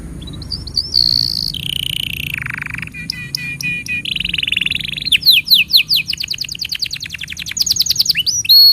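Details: Canary tutor song for young and silent canaries: a high whistle, a low warbling roll, clipped repeated notes, a buzzy trill, then a rapid accelerating series of falling slurs.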